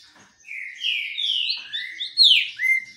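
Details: Green-winged saltator singing as it basks in the sun, a flowing phrase of loud slurred whistles that swoop up and down, ending in a sharp bright note, with light chirping from other birds behind.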